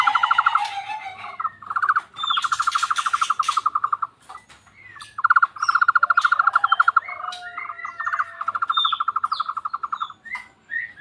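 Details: Tohtor bird call that sounds like a frog: long, rapid, mid-pitched rattling pulses in several bursts of one to two seconds, with brief higher chirps and whistles between them.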